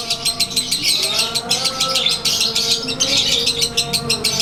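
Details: Caged lovebird of the konslet type, set out to sunbathe, doing its daily ngekek: dense, rapid harsh chattering bursts, about three per second, running without pause, over faint steady low tones in the background.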